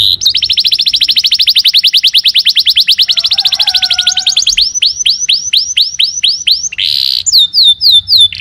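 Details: Canary song starting with a long rapid trill of clipped notes lasting four seconds, then slower curved whistles repeated about three per second, a short buzzy burst and final descending notes.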